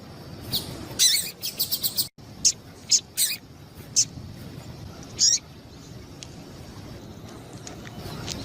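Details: Calls of a female double-collared seedeater, used to warm up and stimulate a male into singing: a quick run of high chips, then single sharp notes scattered across the following seconds, with faint hiss behind.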